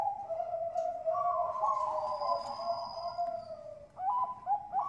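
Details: Bangkok-type zebra dove from a farm in Bekasi, West Java, Indonesia, in lure song: a long, soft, rolling coo that fades, then short hooked notes; a thin high tone sounds in the background.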